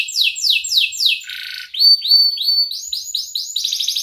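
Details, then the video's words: Canary in prolonged, energetic song, used as a lure to teach young canaries and to restart silent ones: descending whistled sweeps repeated rapidly, a short harsh buzzy burst, then rising notes and a fast rattling trill. "kenari gacor panjang Cuit Cuit EMOSI, Pancingan Kenari Paud Belajar Bunyi, terapi AMPUH Kenari MACET"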